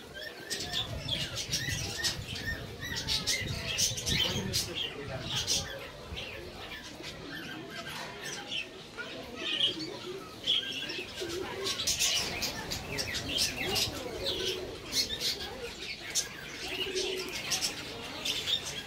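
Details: Budgerigar (Melopsittacus undulatus) family flock chattering busily, a dense mix of high warbles and chirps with wing flutters.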